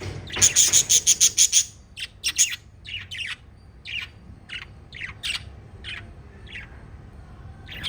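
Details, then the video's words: Five pet lovebirds chirping: a fast burst of about eight sharp, high, evenly spaced chirps, then scattered single squeaky calls with short gaps between them, over a low background rumble. "Five Little Lovebirds Chirping Sounds"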